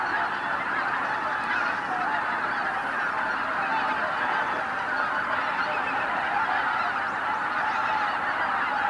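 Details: At sunrise on Izu-Numa, Miyagi, Japan, tens of thousands of greater white-fronted geese take flight together, their overlapping honks forming a constant, even-level din throughout, no individual call separable from the chorus.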